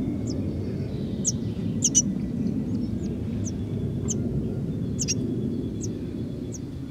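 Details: Five common linnet nestlings about three to four days old in a nest, fed by their mother and a female blackbird; thin, very high, brief cheeps repeated about once a second over a steady low rumble of wind or traffic.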